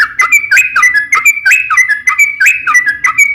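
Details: Whistled song of a sooty-headed bulbul, meant to lure others of its kind into singing. Clear upslurred phrases with short chattering lead-ins repeat about once per second, steady and evenly spaced.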